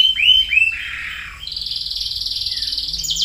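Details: Canary song used to prompt a canary that has stopped singing: a few rising swept whistles, then a long rapid rolling trill repeated many times a second.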